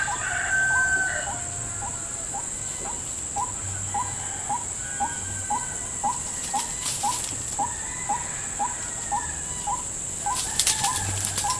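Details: White-breasted waterhen in a salak (snake fruit) plantation, answering a lure at a bird trap: short hooked notes repeated about twice a second throughout, over a steady high insect drone.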